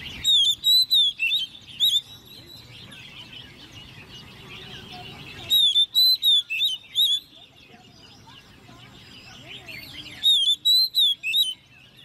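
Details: Ten-month-old Oriental magpie-robin, raised from a chick and kept caged, sings competitively in three separate bursts of rapid, bright whistled notes with rising and falling slurs, divided by quieter stretches of soft background twittering.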